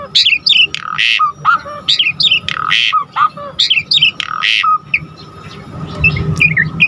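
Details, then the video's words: Asian pied starling, singing constantly with a full set of fill notes to provoke other starlings: harsh rasping squawks traded with high twisting whistles and short low dipping notes, in uneven rhythmic bursts. "Pancingan Jalak Suren GACOR Full Isian Bikin Tambah Emosi Burung Jalak Agar Lain Tambah Gacor Full"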